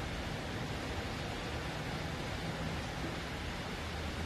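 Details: Dense, even hiss of broadband noise with low rumble runs throughout, and no calls stand out.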